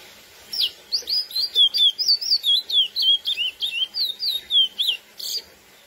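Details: Classic song of the curió (lesser seed finch), sung to excite females: about five seconds of fast, clear, high whistled notes in an even rolling series, each twisting down then up, ending with a brief buzzy note.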